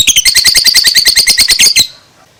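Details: A young two-month-old lovebird chatters in a fast ngekek run, evenly spaced high notes repeated rapidly for nearly two seconds, then quiet.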